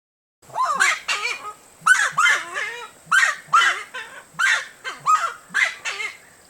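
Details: Giant Wood Rail (saracuruçu) of Brazil giving loud, honking, wavering calls in bursts, about eight phrases in six seconds, over a faint steady high whine.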